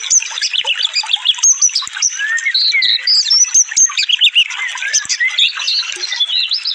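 A sunbird gives a dense, rapid stream of thin, high twitters and sharp slurred notes, running on without pause.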